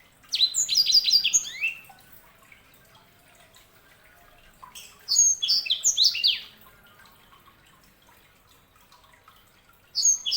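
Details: Canary hybrid known as sanger giving two long bright phrases of fast descending whistles and trills, then a short fragment at the end, with quiet gaps between.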